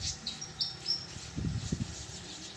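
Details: Fantails fighting noisily in a bower on 4 April 2023 give a few thin, high squeaky chips in quick succession, followed by soft low thumps and rustling.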